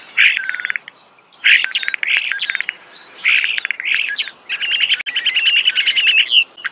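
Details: Nearby starling singing in nature, mixing buzzy rattles of fast repeated clicks with squeaky chirps in several phrases, ending in a long rapid rattle with a thin whistle.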